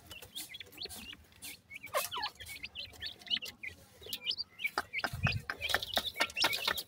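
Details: Francolin chicks cheeping in a steady irregular stream of short high chirps, some slurred downward, with knocks and a low thud partway through.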